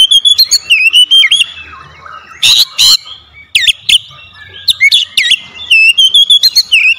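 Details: Oriental magpie-robin lure bird meant to trigger singing in reluctant magpie-robins, producing a lively stream of rapid whistles, harsh broadband chips and swooping notes, with brief pauses between phrases.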